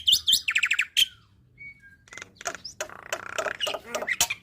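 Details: Black-winged myna song, used as a master recording for young birds to learn and imitate, filled with shot-like fillers: sharp whistled chips, a rapid buzzy trill, then a thin level whistle and a jumble of varied scratchy and clicking notes.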